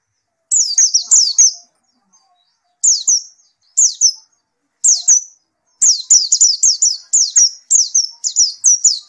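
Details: Singing steadily after therapy, a white-eye gives clusters of high, thin down-slurred whistles, sparse at first, then a long run of rapid repeated phrases.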